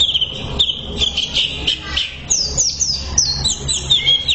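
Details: Greater green leafbird training song for caged birds: a busy run of high sweeping whistles and chirps, some quick descending slurs, over a low rumbling background.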